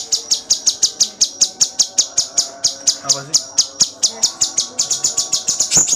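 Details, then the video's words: Cucak cungkok giving full gacor song for songbird tutoring: a long regular string of shrill, clipped high chirps about four per second, speeding slightly toward the end. "Masteran cucak cungkok II Full gacor tembakan rapet"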